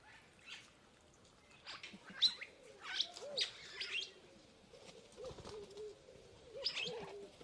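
Purple starling giving a jumbled run of high squeaks, chirps and slurred whistles, with a few lower, mellow curled notes threaded through.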